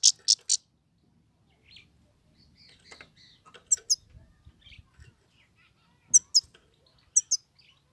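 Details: Himalayan goldfinch singing: sparse pairs of sharp, very high chirps, with small groups at the start, middle and end, separated by quiet gaps with faint rustling.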